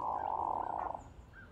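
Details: Hooded Merganser grunting from a flock; a single loud, rolling, croaking buzz lasting about a second, then fading.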